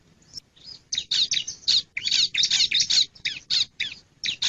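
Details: Male bar-winged prinia calling: dense bursts of high, scratchy chattering notes in quick clusters, separated by short pauses.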